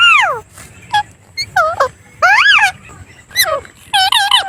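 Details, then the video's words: Parrot making a string of arched, whistled notes with strong overtones, some sweeping downward, others rising then falling, delivered in irregular bursts with short gaps between. "The Voice|| of the ||Parrot"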